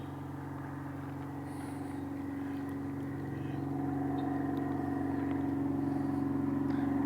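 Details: A motor engine drones steadily and grows louder throughout, with no animal sound heard.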